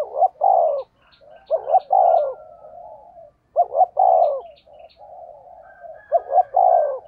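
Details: Spotted dove giving the 'thúc gù giọng thổ' decoy call. Three loud phrases each open with a quick double 'cu-cu' and end in a long, low, falling coo, with softer murmuring coos between. Small birds chirp faintly behind.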